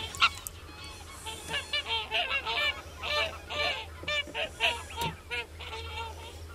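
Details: Common crane calls: a dense chorus of loud, harsh, honking notes with rich overtones, several birds calling over one another in irregular bursts throughout, over a steady low hum.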